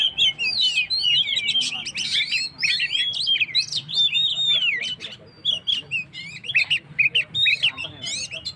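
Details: Oriental magpie-robin singing energetically to rouse stressed birds: dense run of rapid whistled notes, quick slurred warbles and bright chirps packed closely together, steady and loud throughout.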